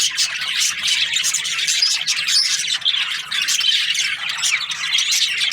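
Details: Chorus of budgies, Australian parrots, chirping: many overlapping high squawks and twitters with short whistled notes, continuous and lively.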